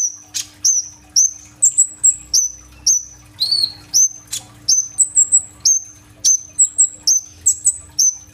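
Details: Kolibri ninja sunbird, filled with rolling tembak phrases as a singing lure for juvenile green birds, phone recorded. Piercing high whistles, each with a sharp onset and a short level tail, switch between two pitches in an uneven run, with faint low rumbles.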